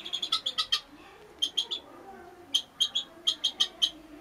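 A guineafowl gives quick bursts of sharp, high, clipped notes, several in a rapid run, then pauses before the next run. Faint background hum underneath.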